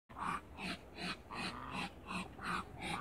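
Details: Waterbirds, two males and one female, meeting: a run of short harsh nasal notes repeated almost three times a second in a steady, pulsing series.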